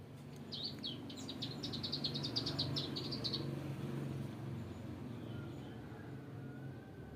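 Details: Bar-winged prinia giving a fast run of high, sharp chirped notes for about three seconds, then falling quiet, over a steady low rumble of passing traffic.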